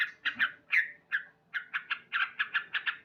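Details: Male sooty-headed bulbul, loud morning song: uneven, rasping notes at first, then a quicker string of short 'cuk' calls.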